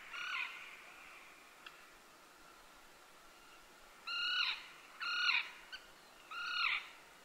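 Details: Common tern in Joroinen, Finland, on golf course grounds; rasping, downslurred kee-arr notes, one at the start, then three loud calls spaced about a second apart after a pause, plus a few faint clicks.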